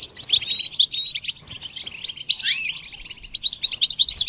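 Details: Training song from a goldfinch: quick, varied twittering with clipped high chirps, a short rising slur, and a brief lull before a fresh burst of rapid notes.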